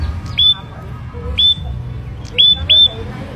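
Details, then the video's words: Hand-raised ashy prinia, caged, sounding short sharp high whistles about once a second, each rising quickly and then held, over a low background hum. "Prenjak Kepala Merah Gacor"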